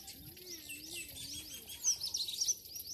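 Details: Birds singing in the morning in a Pakistani village: thin, high chirps and short rising and falling whistles overlap in a steady chorus, with a brighter burst of sharp twitters near the end over soft rural background noise.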